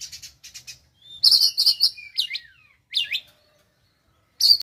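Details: Oriental magpie-robin leaving its spotted juvenile phase, practising konslet song: soft twittering, then a burst of loud rapid chips, downward-slurred whistles, a sliding double note and a final sharp note after a pause.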